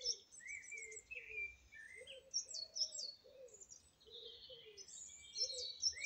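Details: Song thrush in full song, lively whistled phrases with fluttering high notes and short rising figures, delivered rapidly. Softer lower mellow notes come and go beneath the song.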